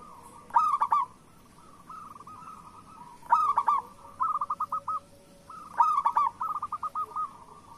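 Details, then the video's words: Zebra dove, a local Indonesian bird, cooing to prompt lazy or moulting doves to sing: a loud trilled coo near one kilohertz, then a softer stuttering rolling series, the phrase returning about every two and a half seconds. "Perkutut Lokal Gacor Suara Pancingan Burung Perkutut Paling Cepat Bunyi"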